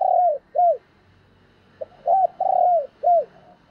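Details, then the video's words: Cooing of a decoy spotted dove luring wild doves. Low, soft, downslurred coos come in a rapid cluster, with one longer rolling coo, above a faint background hum. "Tiếng Chim Cu Mồi Gáy Gọi/ chim Cu Gáy Kích Bổi"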